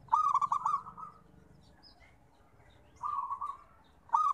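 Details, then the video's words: Repeated song of a local zebra dove, recorded to encourage birds that rarely sing: a loud staccato trilled coo, a long pause, then a softer rolling phrase and another sharp burst. "Suara Terapi Perkutut"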